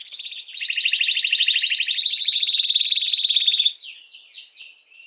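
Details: Canary song, sung to stimulate females for mating: a long, loud, rapid trill of repeated high notes for nearly four seconds, breaking into a few faster rising and falling phrases that fade at the end.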